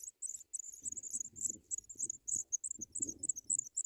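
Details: African pipit nestlings begging in the nest while adults bring white butterflies to feed them; rapid, very high-pitched squeaky notes in quick bursts, with low rustling and scraping from the nest underneath.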